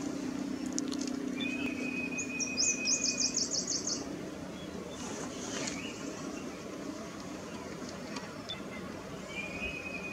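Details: A Chinese babax (Pterorhinus lanceolatus) at Erdaoqiao, Sichuan, gives a thin, level whistle and a quick run of high, chattering notes, over a steady low rumble of background noise.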